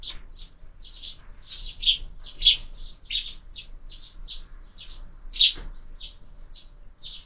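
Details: Sparrows at breakfast in a window feeder used for year-round bird feeding; clear, high, clipped chirps are repeated steadily in a chattering series, a few louder notes stand out, and a single knock sounds near the end.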